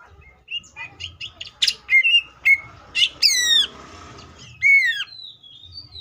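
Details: Greater green leafbird in tembakan song: a string of short sharp chips building to loud metallic notes, a steep cascading sweep with a hissy tail, then a bright falling whistle.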